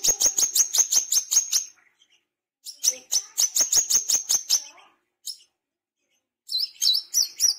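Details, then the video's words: Tame Brown-throated Sunbird sings in bursts of rapid, high, sharp chips at about eight per second, each burst lasting one to two seconds, with pauses between. "KOLIBRI KELAPA BESET JINAK GACOR"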